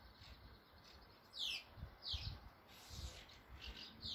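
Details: Swallows gathered in numbers at a nest with chicks in Bulgaria give high, downward-sweeping chirps, about one every half second to second, clear above a faint low background rumble.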